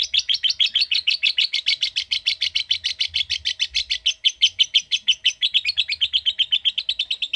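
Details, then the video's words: Lovebird giving a long ngekek trill, the chattering song style called ngetik: a fast run of sharp, high chirping notes without pause for over seven seconds, steady then slightly falling toward the end. "Bagaimana Burung Love Bird Ngetik Cara Cepat Memanggil Love Bird Agar Ngekek Panjang"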